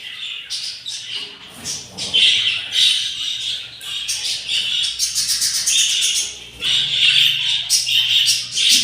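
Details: Hungry yellow budgerigar chicks in the nest, day 7 after four eggs hatched, tended by the parents: dense high raspy chirping and squawking in repeated bursts, swelling and fading throughout.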